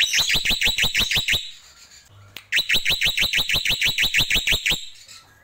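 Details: Black-winged myna singing in the tembakan style: two fast bursts of about a dozen sharp, high, downward-slurred notes rattled off in even rapid succession, split by a short quiet pause with a single click.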